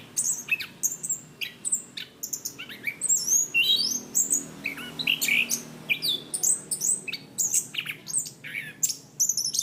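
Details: Chestnut-capped thrush training song for cage birds, loud and clear in 'ngeplong' style: fast, varied high whistles, rising slurs and sharp clicks packed closely together in a rich, unbroken warble.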